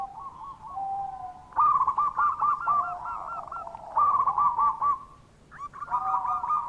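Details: Lure cooing of a local zebra dove, used to get doves that are reluctant to call to respond; soft hooting intro, then loud rolling, stuttered coo phrases with brief gaps, steady and repeated.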